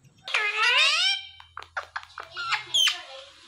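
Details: Indian ringneck parakeet mimicking words: one long, voice-like phrase that rises and falls, followed by short clipped syllables and a high squeaky note near the end.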